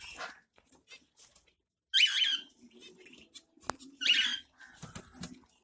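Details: In Pondicherry during summer, a zebra finch bathes and gives two loud, nasal, trumpet-like calls about two seconds apart. Soft scraping and a sharp click come in between.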